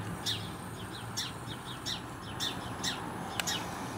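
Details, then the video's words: House sparrows in a windy, rainy Grimsby garden give distress calls, sharp downward chirps every half second to second, after a sparrowhawk caught a young starling there; low background hum throughout. "Now you can hear the sparrows giving distress calls out."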